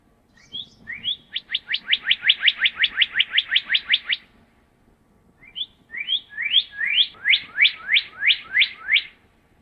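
Northern cardinal song: two bright phrases of clear, downslurred whistles, each repeated rapidly about a dozen times, with a short pause between phrases.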